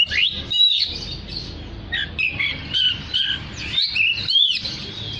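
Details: Energetic oriental magpie-robin song aimed at calling other magpie-robins: loud bursts of high whistles, buzzy chatter and rapid slurred phrases repeated in quick succession over light background noise.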